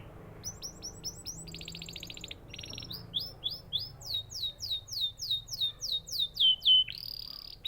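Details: Canary singing varied phrases: fast high chirps, a rapid rattling trill, then a long series of loud downward-sweeping whistled notes repeated several times a second, ending in a steady whistle.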